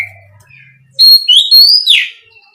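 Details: Oriental magpie-robin lure song: after a quiet start, a loud bright whistled phrase rising in pitch, ending in a harsh downward rasp.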